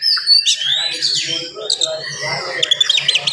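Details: Oriental magpie-robin in energetic morning song, dense and quick, meant to provoke rival magpie-robins; varied whistles and harsh squawky notes over a faint low hum.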